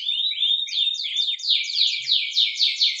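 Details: Spanish Timbrado canary, song for training: rapid chains of sweeping down-slurred notes, growing louder and slower toward the end, bright and metallic throughout.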